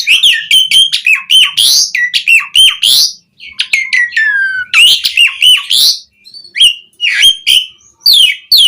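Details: Asian pied starling singing a full, vigorous repertoire to draw other starlings into song: rapid chattering phrases, a long descending whistle, and repeated harsh slurred notes broken by short gaps.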